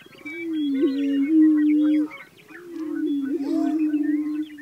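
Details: Prairie chickens give long, low, moaning hoots that swell and fade, with a brief pause midway. Higher whoops and scattered cackles from other birds overlap throughout.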